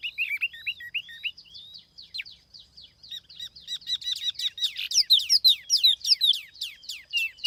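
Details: Tiểu mi laughingthrush singing as a decoy bird, recorded free of background noise: a fast stream of high whistled slurs and sharp chirps, starting with looping notes and building into dense, loud, rapid phrases near the end.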